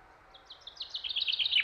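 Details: Common chaffinch singing in Lakeland: high, sharp notes start sparse, then quicken and grow louder into a dense, rattling trill that drops slightly at the end. Faint low background hiss.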